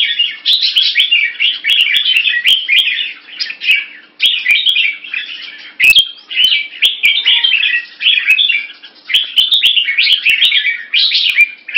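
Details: Red-whiskered bulbul kept in Singapore, caged, uttering short 'keke' calls and slashing its tail to test a rival; an almost continuous run of lively, twittering phrases with small gaps, plus sharp clicks and taps.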